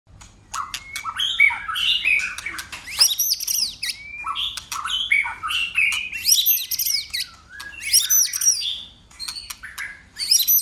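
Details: White-rumped shama singing a contest song while flicking its tail and switching voices, a dense run of varied whistled and warbled phrases with sharp clicks, broken by a short pause near three seconds.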